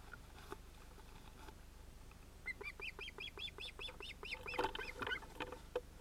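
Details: Ospreys at their Finnish nest on 31 July 2018, two chicks probably male with the adults: a fairly quiet, regular series of arched whistled calls building after a few seconds of near silence.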